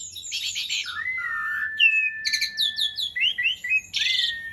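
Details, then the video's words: Jalak suren, the Asian pied starling, singing energetically: harsh buzzy bursts alternate with a long flat whistle, quick rising slurred notes and scratchy phrases. "Jalak Suren GACOR"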